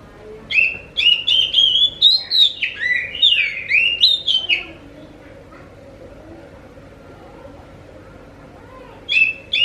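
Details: Oriental magpie-robin, or kacer, singing as a lure for other magpie-robins: a four-second burst of rich varied whistles with sharp clicks and swooping notes, then quiet with a faint low tone, before a short new burst.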